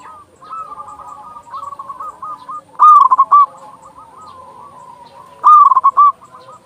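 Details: Zebra dove of local stock, a loud caller used to lure and stimulate doves: two bright, fast-pulsed cooing bursts about 2.7 s apart, with murmured trilled coos of other doves in between.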